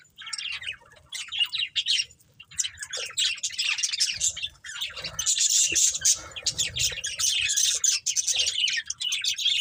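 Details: Budgerigar breeding pair and family, colourful birds, giving bursts of harsh high squawky chirps in uneven clusters, busiest in the second half, with brief quieter gaps.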